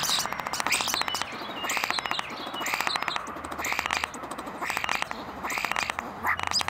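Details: Common starling calling to attract a mate, recorded up close on a Zoom recorder: fast rattling clicks repeated in bursts about once a second, mixed with buzzy, scratchy harmonic notes and short high whistles.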